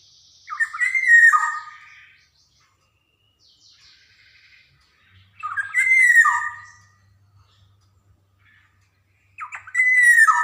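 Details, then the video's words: Black-naped oriole, Javan golden oriole, in a training recording played to young birds to get them singing: three rich fluty whistled phrases, each sliding and warbling, about every four and a half seconds, with quiet pauses between. "SUARA PANCINGAN KEPODANG JAWA"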